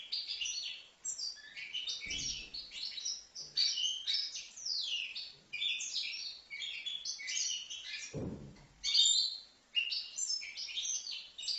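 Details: Young goldfinch aged five months, recorded at Livno, pouring out a long, fast twittering song of bright chirps and slurred buzzy notes. Two dull knocks, near two and eight seconds, break in briefly.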